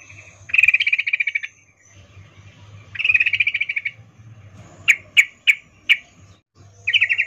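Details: In-heat 'ngecuplik' call of a female sooty-headed bulbul summoning a male: two dense chattering bursts, then four evenly spaced sharp chips and the start of another rattle, over a low background hum.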